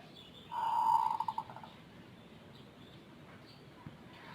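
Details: Zebra dove whose voice differs from local and Bangkok birds, known for long, frequent calling: a sustained hollow coo breaks into a rapid stuttering roll of fading pulses, followed by quiet background noise.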